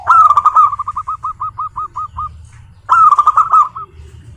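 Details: Local zebra dove singing, used as a lure to get other zebra doves to sing: a rising cooing phrase trailing into about ten short, hooked, evenly spaced coos, then a second rich cooing phrase.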